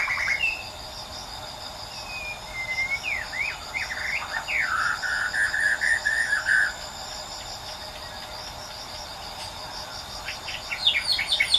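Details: Wild white-rumped shama singing in nature. Scattered whistled phrases include slurred notes and a warbling run in the middle, partly masked by loud, continuous cricket-like insect buzzing. A few bright notes follow near the end.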